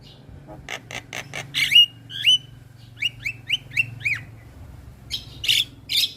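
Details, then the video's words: Javan myna in a tutoring recording for other mynas: a few dry clicks, then a series of short upward-sweeping squeaky whistles about twice a second, ending in scratchy rasping notes. "Masteran Jalak kebo Gacor"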